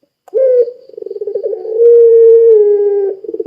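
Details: Barbary dove of the puter pelung type, calling to set other doves calling. A brief upslurred note, a stuttering pulsed trill, then a sustained level coo that sags slightly at the end, followed by more pulsing.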